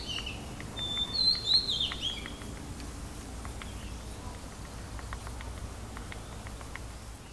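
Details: At a bird bath in Thailand, a racket-tailed treepie gives a brief burst of high, squeaky metallic notes, then faint scattered ticks over a low background rumble.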